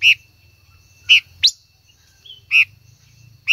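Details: Singing female silver-eared mesia, trying to stimulate a male, gives loud, sharp high chirps spaced about a second or more apart, with one rising squeaky note and a faint low hum.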